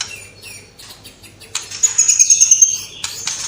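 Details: White-rumped shama (murai batu) singing vigorously with mimicked calls of sparrows, fighting lovebirds and kapas tembak. Scattered soft chirps, then a bright, fast high trill and sharp whistled notes, ending in clicks.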